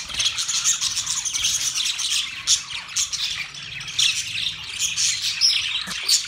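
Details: Many budgerigars, Australian parrots, chirp in a constant high twittering babble, with scattered louder squawks and brief whistled notes standing out.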